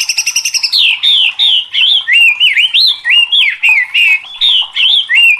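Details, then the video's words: Agitated white-rumped shama in full, fiery song: a quick series of short rasping notes, then loud whistled phrases sliding up and down, each lasting under a second with brief gaps, on a clean, quiet background. "DIJAMIN MURAI LANGSUNG KOAR-KOAR TERSULUT EM0SI | murai batu gacor | shama bird"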